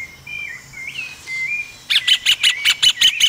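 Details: Rufous hornero feeding its young during the breeding season: soft slurred whistles at first, then a loud, sharp run of about eight clipped notes repeated rapidly and evenly, ringing over a quiet background.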